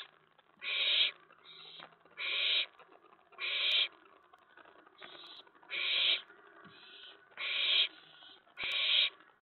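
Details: Owlet in a nest box at night in May 2017, excited when an owl came to the tray: rasping hissing screeches alternating loud and softer, about nine bursts over ten seconds.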